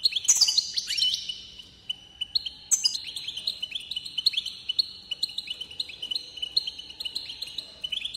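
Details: European goldfinch song intended to excite other goldfinches, opening with a few tinkling chirps, then a continuous buzzy, warbling trill of rapidly repeated notes at a steady pitch.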